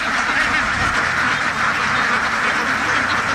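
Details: A crowd of farmed ducks quacking all at once, producing a thick, constant wall of nasal calls.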